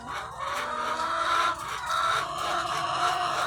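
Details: Farm flock of thousands of egg-laying hens producing a loud, thick babble of clucks and long nasal cackles, with a faint low hum underneath.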